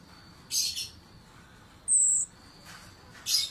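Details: Orange-headed thrush in ngeriwik chattering style: short, harsh, very high bursts near the start and end, with a thin, piercing whistled note between them, over a quiet background.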